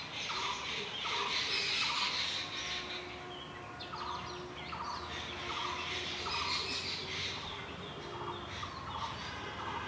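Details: Jungle babblers, a gregarious group, give breeding-season calls and song: a harsh, squeaky chorus of overlapping chatter, with nasal notes repeating about three times a second throughout.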